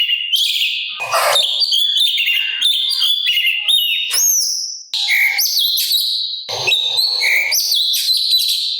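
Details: Sooty-capped babbler giving a busy 'gacor' song with a rough 'kasaran' filling, meant for tutoring songbirds: rich varied high warbling, rising and falling whistled slurs, and fast chattering, nearly unbroken.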